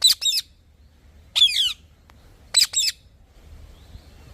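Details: Three bouts of scratchy parrot squawks, single and doubled, spaced over a second apart, then near silence.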